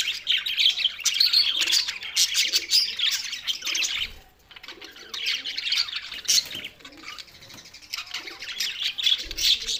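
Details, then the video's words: Budgerigars, described as lonely, on 7 June 2024 give loud bursts of warbling chatter and chirps, dropping briefly quieter around the middle before resuming. "lonely Budgies Barids"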